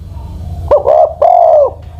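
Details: An old decoy spotted dove, aged over ten years, cooing from the ground: a short clipped opening note, then two longer level coos with slightly arched ends, the final one longest, over a faint low hum.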